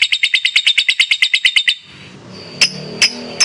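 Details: Competition lovebird chattering: a quick burst of about fifteen harsh chirps in under two seconds, then stops, leaving low background rumble and two isolated sharp notes.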